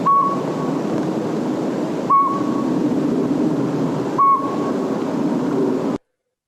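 Northern Pygmy-Owl giving three clear, mellow single toots, evenly spaced about two seconds apart, over steady hiss.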